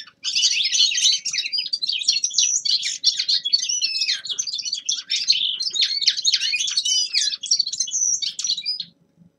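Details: A young male linnet sings a long winter warble, several seconds of quick twittering, trilled and buzzy notes with some clear whistles, fading out near the end.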